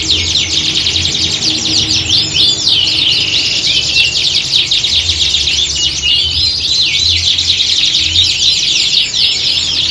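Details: Canaries in a group chorus recreating competition conditions for song training; nonstop high, busy warbling with rolling trills and sharp chirps layered over one another, with a faint low hum.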